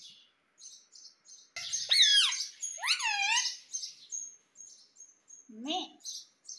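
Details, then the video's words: Indian ringneck parakeet, a talking pet parrot in India: soft chirps give way to two long, loud, swooping harmonic squawks, then quieter chirps and a brief low, voice-like phrase. "Mummy Papa Bolta Parrot || Mitthu Mitthu Bolne Wala Parrot || Talking Parrot"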